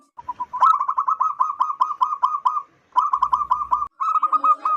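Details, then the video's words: Local wild zebra dove, loud and big-voiced, used for luring zebra doves: long, rapid series of staccato cooing notes broken by brief pauses. "PERKUTUT LOKAL ALAM GACOR SUARA BESAR DAN LANTANG COCOK BUAT PIKAT BURUNG PERKUTUT"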